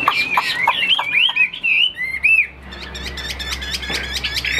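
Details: Caged fighting Chinese hwamei that flares its wings, giving quick varied whistles and trills. The song breaks off midway, then resumes faintly under a low hum.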